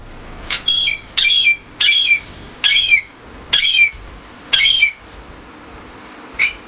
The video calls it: PARROT MAKING SOUND